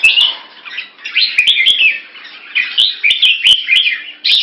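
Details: Red-whiskered bulbul kept in Singapore, using short keke calls while slashing its tail to test an opponent: bubbling, warbled mid-high notes in quick clusters with brief pauses, and sharp clicks.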